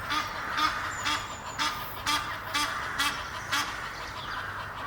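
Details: Egyptian geese, a pair courting high in a tree near Henley upon Thames, call in a steady series of hoarse, breathy honks about two per second, each with a low throaty undertone; a thin whistle passes briefly.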